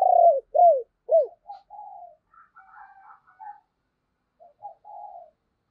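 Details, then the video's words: Decoy spotted dove cooing to provoke wild doves: three loud, downward-curving hoots open the phrase, followed by softer, mellow coo notes and a quiet closing pair. "Chim Cu Mồi Thúc Và Gáy Gọi Kích Bổi Nhanh Gáy"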